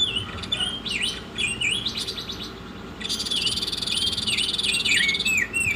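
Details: Masteran track of Oriental magpie-robin: snappy, rising whistles and chirps open the phrase, then a sustained buzzy rattle carrying repeated dipping whistles, roughly three notes a second.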